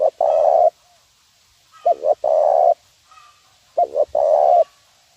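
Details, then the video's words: Zebra dove calling as a lure for training: three phrases, each a pair of quick soft coos leading into a drawn-out, steady purring coo, spaced about two seconds apart. "suara pikat terkukur nguku untuk ajar bb"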